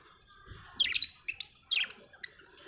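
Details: Budgerigar, an Australian bird, giving a few short, high chirps and a brief squeaky twitter, separated by quiet gaps, with faint low rumbling underneath.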